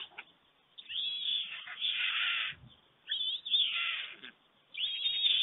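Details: White storks at a nest in Germany, 5:38 a.m. on 24 June 2020, as an adult returns to a greeting from its mate and feeds the single storklet: three harsh, raspy bursts, each about a second long, with thin whistled traces on top.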